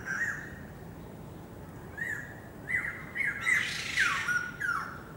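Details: White-crested laughingthrush, recorded 27 January 2014, giving harsh, squawking notes that swell into a noisy, chattering burst near the end, over a quiet background hiss.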